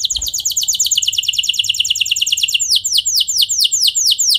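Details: Canary in song, meant to coax other canaries into answering: a very fast rolling trill of high sweeps gives way to slower, louder, descending whistled notes.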